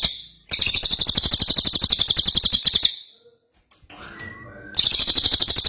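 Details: Energetic ashy tailorbird song for tutoring songbirds: sustained bursts of rapid, high, metallic chirps around three to four per second, broken by a brief pause with soft background chatter.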